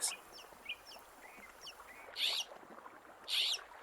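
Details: A single hopping mockingbird on a morning seashore by the Gulf of California, sounding like a group, sings a varied run of short high chirps and slurred notes, broken twice by loud, harsh, buzzy bursts about a second apart.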